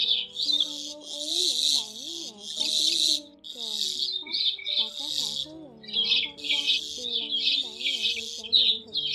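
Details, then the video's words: Migratory white-headed starlings, recorded for luring birds into traps during the 2020 season: continuous rasping, squeaky flock chatter in repeated loud bursts, with looping lower whistled notes underneath. "Tiếng Bẫy Sáo Đá Di Cư - Sáo Đầu Trắng Tiếng Hủy Diệt"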